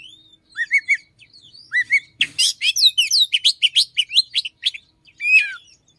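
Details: Morning song of an Oriental magpie-robin that mimics another small bird: paired downslurred whistles, then a dense rapid burst of sharp chirps and trills, ending in a loud falling whistle.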